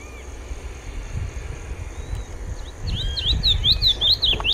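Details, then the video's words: Sayaca tanager song starting late: a short burst of thin, high, rising-and-falling squeaks in quick succession over a low background rumble. "pia cobra cantando"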